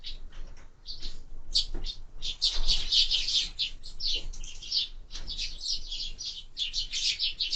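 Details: Sparrows at breakfast on window feeders: scattered chirps at first swell into a dense, continuous twittering chorus, with faint fluttering and tapping underneath.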